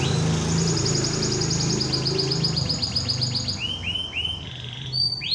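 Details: Canary in competition training singing a long rapid high trill that slows into separate rising swoops, over a loud low rumble.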